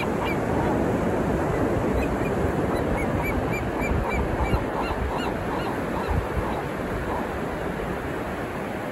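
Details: Gulls at Black's Beach, La Jolla, San Diego, California, on the afternoon of 21 May 2023 give repeated short, nasal mewing calls over the steady roar of breaking surf, several birds calling at once.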